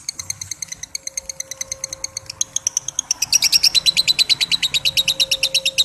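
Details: Long 'ngekek' lovebird chatter, a rapid string of high, clipped notes that begins moderate and grows louder and denser after three seconds, with a faint steady hum beneath.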